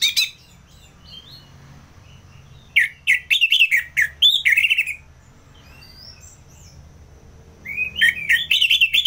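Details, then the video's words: Orange-headed thrush singing ngeplong, Singaraja, Bali: quiet scratchy notes, then a loud cluster of rich whistled phrases, a long pause, and a fresh burst of rapid warbling at the end. "ANIS MERAH Ngeplong"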